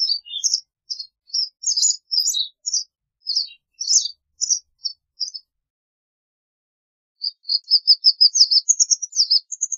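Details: Song of a white wagtail: spaced high chirping notes delivered irregularly for about five seconds, a short pause, then a quickening run of sharp, rising twittered notes.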